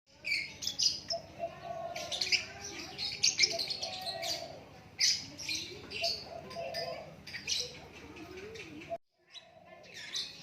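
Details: White-rumped shama giving natural song: rapid, varied high chirps and whistled phrases pour out almost continuously. A low murmur of background sounds lies underneath, and a brief silent break comes near the end.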